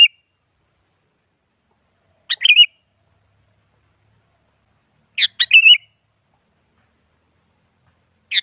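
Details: Sooty-headed bulbul singing to goad a rival into song: three brief lively phrases, each a sharp clipped note and a rolling whistled flourish, spaced roughly three seconds apart in silence.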